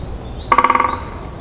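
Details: Male great spotted woodpecker drumming on a dry, resonant pine branch in Kalinovsky forest park, Yekaterinburg, on 1 April 2020, telling rivals the territory is occupied and attracting a female; one brief roll of about ten rapid ringing knocks, faint bird calls behind.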